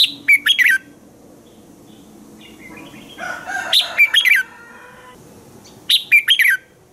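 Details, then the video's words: Morning song of a red-whiskered bulbul, used for training other bulbuls: quick clusters of sharp, warbled whistled notes, with a longer, softer rambling twitter in the middle and another bright burst near the end. "Chào mào hót sáng hay - DÙNG ĐỂ LUYỆN KÍCH BỔI CĂNG HÓT"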